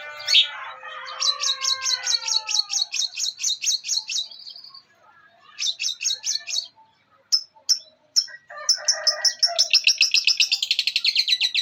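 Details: Long-tailed shrike singing a mimicry-filled master song for teaching songbirds. A falling warble leads into a long fast series of buzzy pulses, a few isolated clicks, and a final accelerating high trill.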